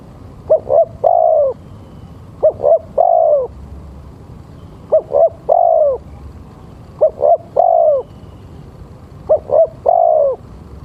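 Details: Male spotted dove calling, a recording used as a lure for other doves: five phrases of two short soft coos followed by one longer, drawn-out coo, repeated about every two seconds over a quiet background.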